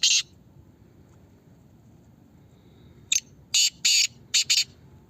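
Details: Black francolin (Kala Teetar) in a voice competition: a single harsh, grating note, then after a pause a rasping phrase of five broad scratchy notes, the middle ones longer, over a quiet low hum.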